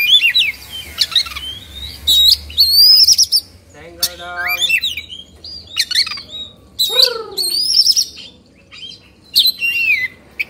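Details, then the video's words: Oriental magpie-robin singing in excited 'kongslet' style, beak open and tail fanned, Indonesia. Loud, rich run of whistled sweeps, rapid trills and a harsher chattering phrase, repeated in energetic bursts. "Suara Kacer Emosi/Kongslet"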